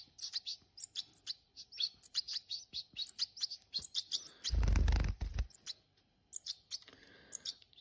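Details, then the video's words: Hand-reared European goldfinches calling in rapid, high tinkling chirps, many per second, briefly covered by a loud low rumbling thump near the middle before the chirping resumes. "Jilgueros criados a mano"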